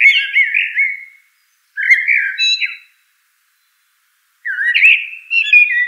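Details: Common blackbird (Turdus merula) caroling song of three melodious warbled phrases, rising and falling whistles with brief squeaky ends, spaced by pauses of one to two seconds; no background noise.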